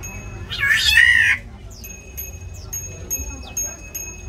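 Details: Aviary black-naped oriole fighting over territory: one loud nasal, rasping mew, then a run of short, faint, sharp ticks and chips spaced about half a second apart.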